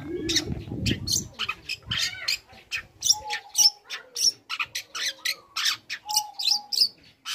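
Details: Young long-tailed shrike in full song, meant to provoke other shrikes: rapid series of harsh scratchy notes and sharp high chips, with a thin steady whistle recurring beneath and a brief low rumble at the start.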